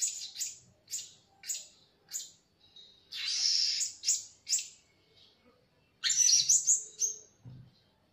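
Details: Blue-crowned hanging parrot call used as a lure for trapping birds: very high, thin chirps repeated at a rapid, uneven pace, with a few longer buzzy, shrill bursts between them and a louder squealing run near the end.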